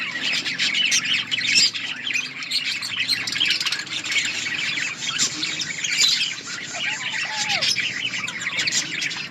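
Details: Many budgerigars chatter while feeding in an outdoor colony, a steady wall of overlapping high squeaks, chirps and warbling twitters with no pauses and a faint low hum beneath.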